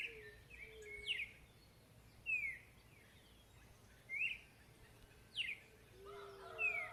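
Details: Chalk-browed mockingbird song outdoors: sharp descending whistled phrases and a few chirps, separated by pauses of one to two seconds, with faint lower notes from other birds near the end and a steady background hiss.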